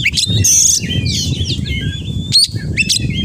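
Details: Oriental magpie-robin producing a long, thin sustained whistle and warbling slurs framed by sharp, explosive high notes, over constant low rumble.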